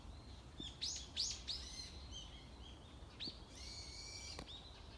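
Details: Unseen wild bird singing in a morning landscape: bright high chirps and rising whistled notes in quick bursts, then a longer sustained whistle, over low background rumble.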